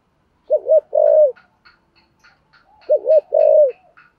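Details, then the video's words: Spotted dove with a deep 'giọng thổ sấm' voice, giving a 'thúc gù' coo: two low phrases, each a twin wavering note then a long smooth coo, with light high chirps from other birds between them. "cu gáy giọng thổ sấm thúc gù quá hay"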